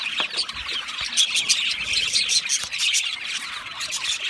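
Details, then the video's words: Budgerigars in an aviary, many birds chirping and chattering at once, a dense continuous wash of high, rapid warbling chirps and squawks with no pauses. "Budgie parrot chirping sounds"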